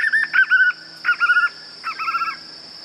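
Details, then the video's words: White-eared puffbird song, an original recording without added effects: three bursts of rapid, warbling whistled notes, each burst lasting about half a second, over a steady thin high-pitched whine. "Som limpo do canto🎵 do João Bobo"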